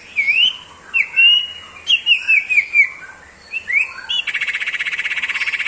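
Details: Common iora singing in the sirtu ngebrem style: clear whistled notes, some rising and some falling in short runs, then a fast buzzy rattle of evenly repeated pulses at the end.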